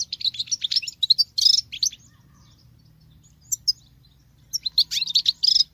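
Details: Female European goldfinch kept in a cage, singing a male-type song: rapid liquid twitters and buzzy notes, a pause with a few isolated chirps, then another lively twittering phrase.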